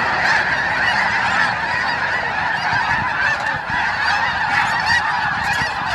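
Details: A dense, continuous chorus of snow geese at their fly-out around Thanksgiving, countless nasal honks and barks overlapping into a steady roar with no gaps.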